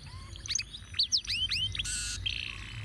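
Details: Canary 'ruwet' song used as a tutor for other birds: a handful of loud arching whistled slurs, followed by a harsh buzzy rattle and a lower buzzing trill.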